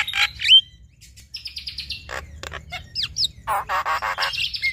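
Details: Male and female Javan myna singing a duet and showing their varied repertoire: sharp rising whistles, harsh rasping bursts and a run of gritty repeated notes, mixed with clear sustained whistled tones.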